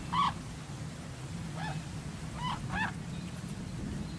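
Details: A Brolga (Grus rubicunda) in the Riverina of southwest NSW, Australia, gives four short, hoarse trumpeting notes, the last two close together, over a steady low rumble of wind.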